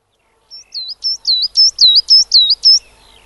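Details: A coal tit in a UK garden sings a quick run of high, thin two-note phrases, about eight in three seconds, growing louder, against a quiet background.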